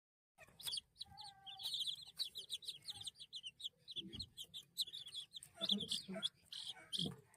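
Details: Baby chicks chirping: dense, high, rapidly repeated peeps from several chicks overlapping throughout, with a brief steady tonal hum early on and a few lower murmurs in the background.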